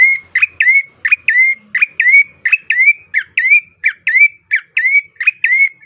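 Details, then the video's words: Lure song of a bar-winged prinia played so birds sing sooner: a rapid, rhythmic run of bright, piping chirps, each ending in a short rising whistle, evenly paced for several seconds. "pancingan prenjak coki GACOR❗ agar cepat bunyi"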